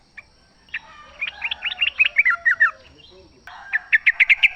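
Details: Yellow-vented bulbul in the wild forest, a lure for caged birds: scattered chirps rising into a run of rapid liquid notes, a brief pause, then a row of about six quick bright chirps.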